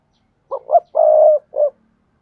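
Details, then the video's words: Decoy spotted dove phrase meant to provoke wild doves to coo: short hoot, short hoot, long mellow coo, and a brief trailing note, four parts in all, clean background. "Tiếng Chim Cu Gáy Mồi, dùng loa kích bổi nhanh gáy không tạp âm rất hiệu quả"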